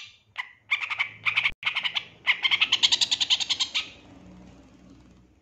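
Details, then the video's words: Long-tailed shrike in lively training song with 'isian tembakan' bursts: a few harsh scratchy notes, then a fast run of rasping, evenly repeated buzzy notes at about four per second that fades out. "Masteran Cendet GACOR Isian Tembakan Mewah Terbaik Terampuh"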